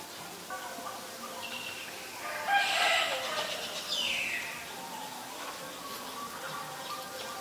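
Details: In Ubon Ratchathani, Thailand, on 17 April 2022, a Black-collared starling lets out a harsh, rasping burst followed by a downward-sliding squeal, then quieter scattered notes against a low hiss.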